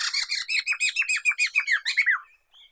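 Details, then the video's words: Black-throated laughingthrush, known locally as poksay mantel or poksay medan, recorded for luring and tutoring songbirds: a fast run of about fourteen harsh, ringing notes, each slurring downward, delivered in a steady rhythm before a short faint tail. "Kicauan Poksay Mantel (Poksay Medan)"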